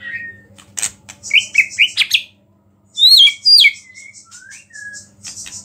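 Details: White-rumped shama song meant to rile other shamas, carrying small-bird phrases: clicks and rapid rising whistles, a pause, then loud swooping whistled notes falling away into softer slurs, over a faint low hum.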